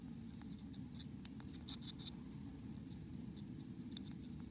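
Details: From inside a black-capped chickadee nest in America come scattered shrill, thin squeaks, with a louder cluster near the middle, over a constant low hum.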